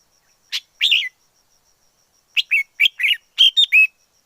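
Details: Wild forest red-whiskered bulbul singing a lively phrase: a short chirp and a warbled note, a pause, then a rapid run of about seven liquid, slurred whistles.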